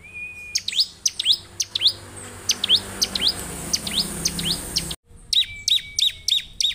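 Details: A ciblek, the Bar-winged prinia, sings busily with repeated high falling chirps. A drawn-out whistle comes early on. After an abrupt cut, faster stuttering notes follow over a thin tone.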